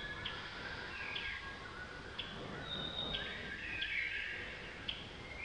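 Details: A female Blue-capped redstart at Pelling, Sikkim, India, in May 2018, gives short, sharp, high call notes about once a second against a steady hiss of outdoor background noise.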